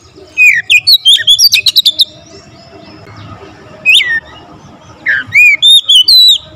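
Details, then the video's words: Oriental magpie-robin in full, busy song with varied fill-in phrases: loud whistled slurs and rapid buzzy chip trills in bursts, a pause, then more rising and falling whistles. "Kacer gacor nembak rapat full variasi isian"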